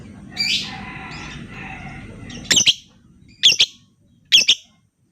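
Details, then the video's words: Lovebird calls played as a lure to stimulate other lovebirds: after a muffled rasp, three loud, harsh, doubled screeches come about a second apart over a low background hum. "Pancingan Lobebird cepat/jitu burung Lovebird diam biasa gacor denggar suara ini"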